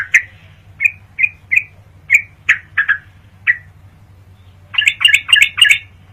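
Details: Sooty-headed bulbul from a training recording used at night to make songbirds fighters: spaced single chirps, a pause, then a quick burst of five or six bright chattering notes, with low background hum.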